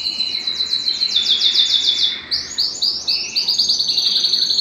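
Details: Belgian canary in full song, used to warm up singing and bring females into breeding condition; a quick high trill of evenly spaced notes, a short dip, then rising rolled phrases.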